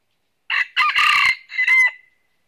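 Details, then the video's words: Single crow from a red-eared decoy red junglefowl used for trapping in northern Vietnam: a short clipped note, then a long harsh middle phrase and a drawn-out ringing final syllable. "Bẫy Gà Rừng Miền Bắc Mồi Tai Đỏ Đụng Bổi Gáy Cà Lắm"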